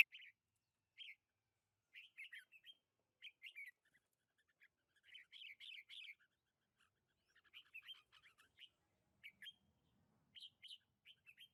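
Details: Sparse, soft chirping song of a red-whiskered bulbul among lychee trees, recorded 21 March 2020. Brief clustered notes are separated by short pauses in an otherwise quiet orchard.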